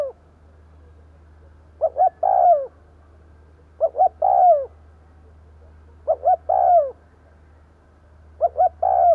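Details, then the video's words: Spotted dove lure call used to draw in other doves: a low cooing phrase of two short notes then a longer drawn-out coo, repeated about every two seconds, with a steady low hum behind. "Tiếng cu gáy mồi gù gáy kích bổi nhanh nổi"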